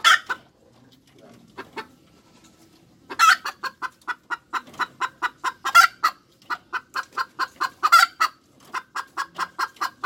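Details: Hens cackling: after a few scattered clucks, a long run of sharp, evenly spaced clucks builds, with louder, harsher squawks rising out of the series every couple of seconds.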